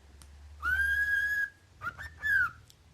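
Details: Cockatiel giving a loud, steady whistle held about a second, slightly rising then flat, with rich overtones. A short broken chirp follows, then a second whistle that starts high and slides downward. Faint low hum underneath.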